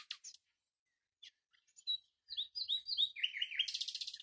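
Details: A few short chirps, then the common nightingale launches into a descending series of swelling whistled notes that speed into a fast, dense, buzzing trill.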